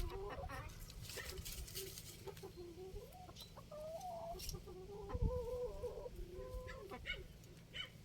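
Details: An İspenç rooster in a village coop gives drawn-out, wavering calls that rise and fall, with a man's voice nearby.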